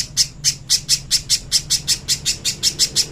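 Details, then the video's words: Little spiderhunter master song for training birds: evenly spaced, piercing high chips, roughly four per second, each a short bright note, with a faint low hum beneath. "MASTERAN BURUNG PIJANTUNG PISANG JERNIH"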